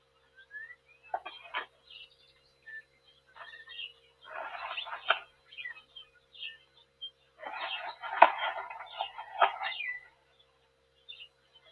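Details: Black stork (Ciconia nigra) at a nest in Tajo Internacional, Spain, 18 March 2024, during a fight with an intruder, giving harsh, wheezy rasping bursts in irregular bouts, some a second long, over a steady low electrical hum.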